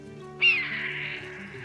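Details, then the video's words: A single hoarse, high, descending scream, the call of the Red-tailed Hawk, harsh and drawn out, fading slowly over soft background music. "Here's the call of the redtailed hawk."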